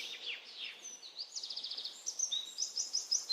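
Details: Birds chirp as relaxing nature sounds: a high mix of slurred whistles, quick stuttering trills and sharp bright notes, fairly soft and continuous.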